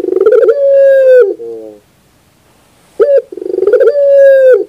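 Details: Two clear coos of a Barbary dove, recorded as training material for birds. Each is a long level tone that falls at the end and is trailed by short low notes. A silent gap separates them.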